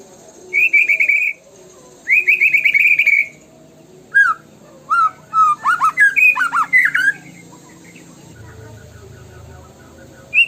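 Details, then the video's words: White-rumped shama lure recording: two fast rattling trilled bursts, then a run of sharp, varied whistled notes leaping up and down, separated by short pauses in a quiet room. "PUTAR PANCINGAN MURAI BATU INI LANGSUNG BUNYI GACOR FULLISIAN!"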